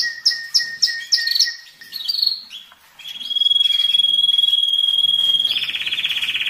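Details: Excited domestic canary singing to stir males and prepare females for mating, during molt and rest: four sharp repeated chips about a third of a second apart, a short phrase, then a long level trill and a dense buzzy roll.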